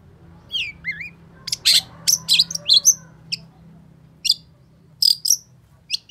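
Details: Long-tailed shrike in full, agitated song, played to spur a bird that has stopped singing. A few high whistled slurs lead into bursts of harsh, buzzy chirps and sharp notes, with short pauses between volleys and a faint low hum beneath.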